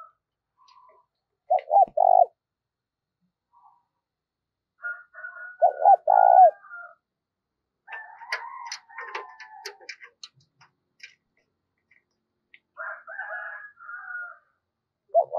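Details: Spotted dove kept as a decoy bird, cooing quickly to lure wild doves: low three-part coos, a short double note then a long drawn note, in bursts, mixed with higher chirping and twittering from other birds between phrases.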